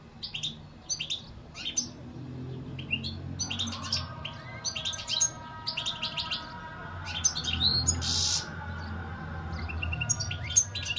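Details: European goldfinch singing; scattered high chirps and short twittering notes at irregular intervals, with a denser burst of twitter around the middle, over faint low background hum.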